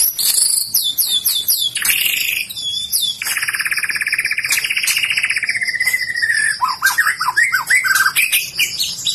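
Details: White-rumped shama, described as a bird with fighting spirit ready for contest, singing a dense, varied stream of sweeping whistles and fast trills, with a long buzzy rolling passage in the middle and sharp chattering notes near the end.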